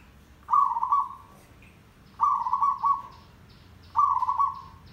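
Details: Zebra dove song used as a trapping lure, a local tandang style with heavy derak notes: three bubbling, rolling cooing phrases about one second long, repeated roughly every one and a half seconds over quiet background.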